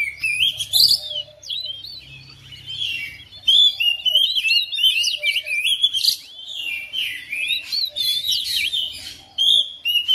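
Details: Oriental magpie-robin kept at home responds quickly to another bird with continuous high, varied song: twisting whistled phrases, rising and falling slurs and quick chirps tumbling together for ten seconds.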